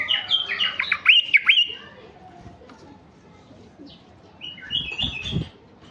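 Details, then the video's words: Mutation male White-eared bulbul, a stud bird whose song is played to stimulate raw wild-caught bulbuls: a burst of rich whistled, warbling notes with sharp up-and-down swoops in the first two seconds, then a quieter liquid phrase later, with faint clicks behind. "تغريد بلبل عراقي طفرة فحل لفتح البلابل الوحشية الخام"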